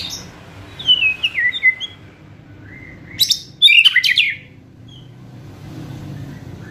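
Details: White-rumped shama singing fiercely in kretekan style to rouse emotion and speed up singing. A string of descending whistled notes is followed by a pause, then a dense burst of crackling, harsh warbles before quiet returns.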